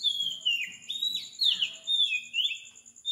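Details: Before dawn at 4 am in Sri Lanka, an Oriental magpie-robin sings loud whistled phrases that dip and rise in quick succession, with a faint low pulsing underneath and a steady high tone above.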